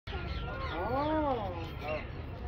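An African grey parrot gives a drawn-out, voice-like call that rises and falls, then a shorter second note, over a low steady rumble.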